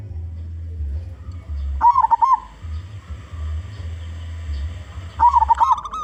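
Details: Local zebra dove with a powerful voice, used as a lure for other zebra doves: two rolling, quavering coo phrases several seconds apart against a continuous low rumble.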